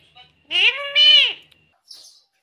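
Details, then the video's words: Green Indian ringneck parakeet speaking a loud two-part, word-like utterance with rich harmonic tone and a falling end, followed by a faint high chirp. "Natural Sound of Talking Ringneck green parrot 🦜 Original audio 😯 Indian Ringneck Parrot 🦜"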